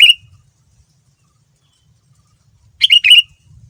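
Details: Short lively chirped phrases from a sooty-headed bulbul, a song used to lure other bulbuls into answering; one phrase opens the recording and a louder double burst follows nearly three seconds later, over quiet low rumble.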